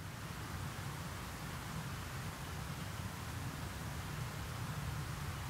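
Even rushing noise like rain or wind over a moor in April, heaviest in the low range, with no animal calls.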